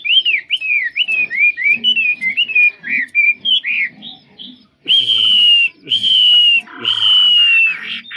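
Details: Chinese hwamei said to sing very well, giving a fast series of short looping whistles, then three long, loud, slightly descending clear whistles separated by brief pauses.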